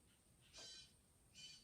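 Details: One of several blue jays (two to four) arguing at a bowl of cat food gives two harsh raspy screeches about a second apart, each a fraction of a second, over a faint steady hum.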